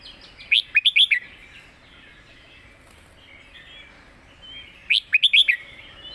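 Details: Competition red-whiskered bulbul singing its master-pattern song with clear phrasing: two bursts of five quick, bright whistled notes, rising and falling, about four seconds apart, over faint background hiss.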